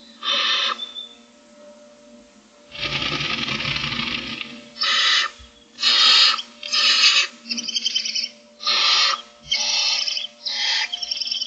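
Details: Food-begging Barn Owl owlets, six in a camera-watched nest on the morning of day 25: one long rasping hiss, then a rapid run of shorter screechy hisses roughly once a second, some with tonal bands.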